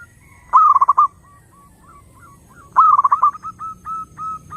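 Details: Zebra dove singing to draw in other doves: a sharp, stuttering cluster of rapid coo pulses, a pause with a few faint notes, then a second pulsed cluster and a tail of steady, drawn-out soft coos.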